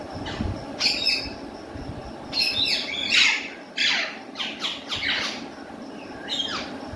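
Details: Pet ringneck parrot kept in a cage lets out loud, harsh squawks in quick irregular bursts, several sweeping downward in pitch, with short pauses between groups and a low hum behind.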